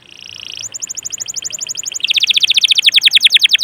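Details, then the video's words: Canary singing hard, meant to coax other canaries into song: a steady rapid trill of even pulses that switches abruptly to a louder, faster, fuller trill halfway through. "PANCINGAN SUARA KENARI GACOR || kenari gacor ampuh bikin kenari lain ikut gacor"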